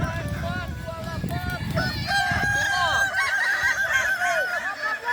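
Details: Kukuak Balenggek roosters at the final of a crowing contest, boko class, at Sirukam dairy farm, Solok regency; several birds crow in overlapping, stepped multi-note phrases with low crowd murmur underneath, turning into loud arched notes after two seconds.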